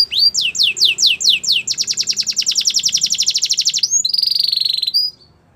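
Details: Belgian canary singing every morning: looping descending whistles give way to a rapid rattling trill and a sustained high buzzy note, then silence.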